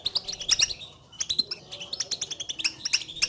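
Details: European goldfinch calls, the contact notes birds use to call each other, played to get a silent caged goldfinch singing; quick high chirps in two lively bursts separated by a short pause.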